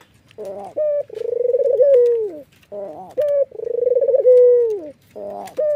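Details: Laughing call of a white Barbary dove with red eyes, given while nodding: a buzzy burst, a flat clear note, then a drawn-out trilled coo falling away at the end, heard twice in a row.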